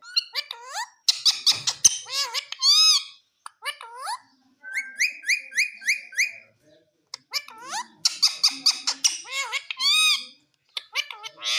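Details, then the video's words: Green Indian ringneck parrot talking at length: bursts of high, harmonic speech-like syllables, a row of five clear repeated whistled notes midway, then more rapid chattering phrases ending in drawn-out bright sounds. "indian green ringneck parrot talking"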